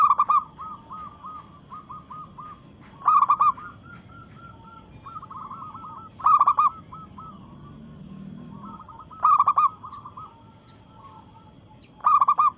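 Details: Local zebra dove in breeding mood, challenging rivals: loud, rippling coo bursts about every three seconds, with fainter, evenly paced coo phrases filling the gaps between them.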